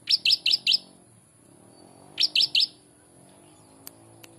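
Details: Prinia singing a ciblek-style song: a burst of four high, sharp chirps, a pause, then three more, followed by faint ticks over a low background hum.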